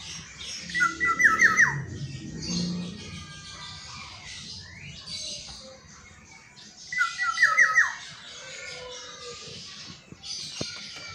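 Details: Caged black-naped oriole kept as a favourite bird that sings every dawn. Two short, liquid, fluting whistled phrases of looping notes, repeated about six seconds apart, with a faint low hum and soft chatter behind.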